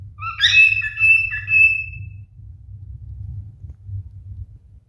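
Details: Male cockatiel in courtship gives one whistled phrase of a sustained bright note with lower warbling, lasting about two seconds, followed by only a steady low hum.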